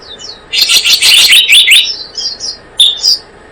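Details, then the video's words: Blue-eared kingfisher lure sound for trapping: a tumbling, shrill high chatter of overlapping notes for about a second and a half, ending in a few separate sharp whistles. "Suara pikat burung selendang biru"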